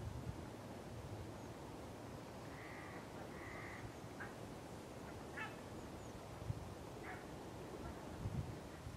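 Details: A Red-necked Grebe (Podiceps g. grisegena) at the Harchies marsh, Belgium, in February 2016 gives two drawn-out nasal notes, then several short clipped calls, over a steady low rumble of wind or water.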